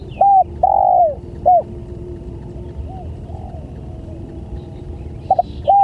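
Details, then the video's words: Spotted dove lure call to draw in other doves: a short coo, a long falling coo and a clipped note, then a quiet gap with soft distant coos before short notes resume. "Suara Pancingan Tekukur"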